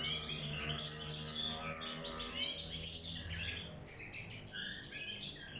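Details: European goldfinch in a cage singing for mating and nest building; lively tinkling twitter with sharp, bright notes, softening toward the end over a steady low hum.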